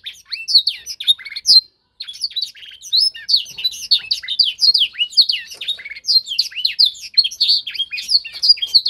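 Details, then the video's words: Young canary undergoing song tutoring sings lively high warbles of swooping notes and quick chirps, a short pause near the start, then an extended, energetic run of rapid varied phrases. "Proses pemasteran kenari paud (singing training season)"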